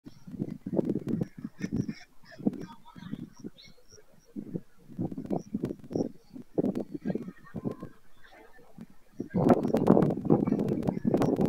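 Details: White stork at Madrigal de las Altas Torres, Spain, on 25 July 2024, at the end of the breeding season. Rough, low bursts repeat irregularly, about two or three a second, with short pauses. A denser, louder stretch of rattling comes near the end.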